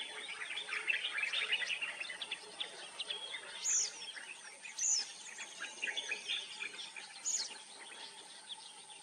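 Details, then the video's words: Common myna (Indian myna) singing a varied chattering song of gurgles and clicks, with three clear high whistles spaced a few seconds apart, over a steady insect-like hum. "The common myna Song / Indian myna Singing"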